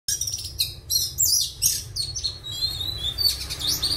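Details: Oriental magpie-robin, a kept bird at the end of its moult, singing a rich jumble of high whistled and scratchy notes. The phrases come in quick bursts, some sliding steeply up or down, with brief pauses between them.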